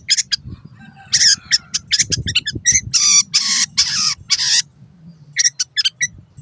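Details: Caged long-tailed shrike (cendet) master song for tutoring birds that went quiet or moved to a new keeper: clicking notes, then long harsh rasping bursts around mid-clip, followed by quick sharp chips, faint low hum underneath.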